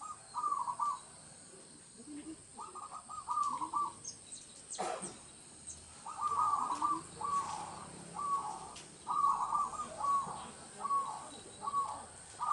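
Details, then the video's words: Zebra dove of a local strain, singing actively in rural village surroundings, recorded as a lure for trapping doves; repeated rhythmic phrases of fast, rolling coos, one every second or so, with a brief rustle midway. "PERKUTUT LOKAL GACOR UNTUK PANCINGAN SUARA PIKAT"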